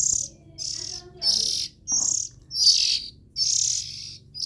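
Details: Harsh, breathy hisses from young Oriental magpie-robins, repeated in quick, uneven bursts more than once a second. A faint low hum and a soft click are also present.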